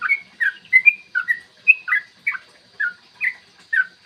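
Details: Morning 'ropel panjang' song of a yellow-vented bulbul, played as a lure to provoke rivals into singing and fighting; lively string of bright, slurred chirps about every third of a second, each note dipping or rising.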